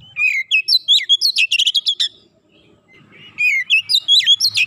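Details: Oriental magpie-robin (kacer) in 'nembak rapat' style: a two-second rush of varied whistles and staccato chips, a quiet gap, then another energetic phrase of rising and falling notes.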